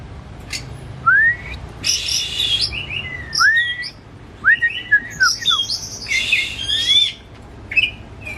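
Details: Home-kept pet white-rumped shama (kacer), agitated with tail spread, singing as a lure for another shama: varied loud song of slurred downward whistles, buzzy rattles and sharp chirps in quick succession.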